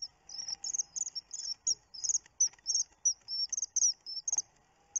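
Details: Webcam recording from 29 June of a common kingfisher: a rapid, almost continuous run of shrill, high whistles, some trilled or stuttered, with faint clicks and knocks underneath.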